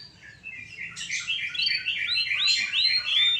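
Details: Energetic (gacor) canary song from a master recording, a short warbling phrase of mid-pitched chirps building into louder, bright rising whistles repeated in quick succession, with no other sounds.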